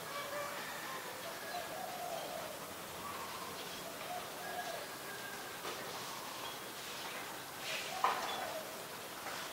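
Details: Common myna in Ubon Ratchathani, Thailand, on December 15, 2020, giving mid-pitched, gurgling and nasal chattering calls in loose runs, with a sharp click near the end over a steady hiss.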